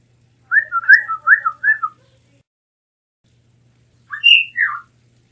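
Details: Melanotis caerulescens, the blue mockingbird, giving a rapid string of five or six short slurred whistles, then a pause and a two-note phrase, a high clear note falling into a lower one.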